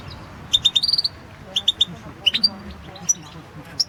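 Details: European goldfinch song recorded for the 2016 World Championship in Goldfinch Song: scattered bursts of bright, high twittered notes, with short clipped trills and brief metallic accents separated by pauses, over faint low background hum.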